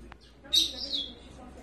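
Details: A day-old yellow-fronted canary (Crithagra mozambica) chick being hand-fed gives a begging call: one thin, very high, wavering cheep lasting about half a second, in an otherwise quiet room.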